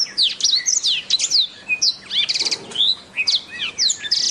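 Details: Black-throated canary singing a lively jumble of high slurred whistles, fast repeated trill notes midway, and sweeping chirps in rapid succession.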